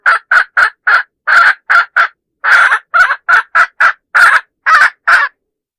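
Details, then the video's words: Hen call used as a lure for roosters: a series of about sixteen loud, harsh, nasal clucking notes, each short and evenly spaced, with a brief pause near the middle. "Suab poj qaib seev dib tuaj zoo tiag tiag"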